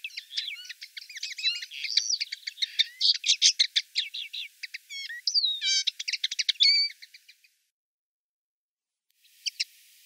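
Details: Common linnet recorded in Wittlich, Germany, 2018, pouring out a fast, continuous twitter of crisp chirps, rattles and rising whistled notes for about seven seconds, then silence and a brief final chirp.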